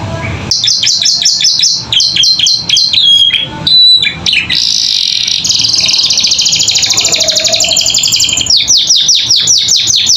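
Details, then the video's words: Captive canary in full chattering song, used as tutor audio for young birds learning to sing: a run of quick down-slurred notes, a brief harsh burst, a sustained high buzzy trill, then renewed repeated falling notes. "Masteran Kenari Gacor Isian Cocok Buat Paud Belajar Bunyi"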